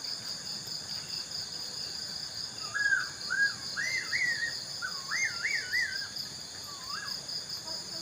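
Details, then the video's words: Unidentified bird calling from a tree at night after sunset, unseen: a series of warbling, wavering whistled phrases rising and falling, over a steady high insect chorus. "Suara Burung Aneh di Malam Hari"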